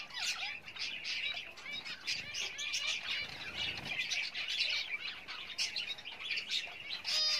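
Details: Pet Java sparrows (Java finches) building a nest at breeding time give a steady stream of short, high chipping and twittering calls, several birds overlapping with barely a pause.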